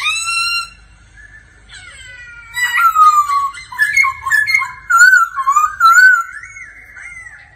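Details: Laughingthrush in daily singing practice accompanied by a female's 'ro ro' calls: a loud harmonic note opens, then after a pause a run of clear whistled, warbling phrases rising and falling, delivered in quick bursts, indoors and free of other sounds.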